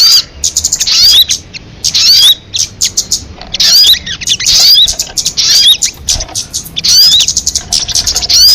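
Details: Crested jay calls: bursts of harsh, high chattering notes with sharp rising whistled slurs, coming in clusters separated by brief pauses over about eight seconds.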